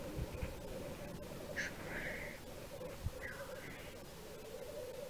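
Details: Black grouse at a lek in Wales, March 2013: a low bubbling chorus continues throughout. Loud wheezing, sneezing hisses come at about 1.6–2.5 seconds and again near 3.3 seconds, with light wind.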